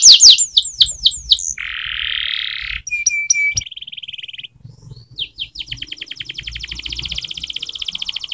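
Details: Canary song for training with varied phrases: quick falling notes, a harsh buzzy rattle, a steady trill, then a long fast series of sharp repeated notes.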